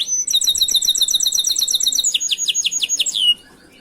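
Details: Master canary song for training other canaries: a fast, regular high trill of doubled notes changes into a run of louder descending whistled slurs before stopping.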